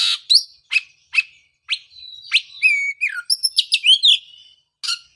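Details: Oriental magpie-robin singing, as a lure for a bird gone silent after its moult: a varied song of sharp raspy notes leading into clear whistles, slurred descending phrases and quick trilled notes, then one last harsh burst.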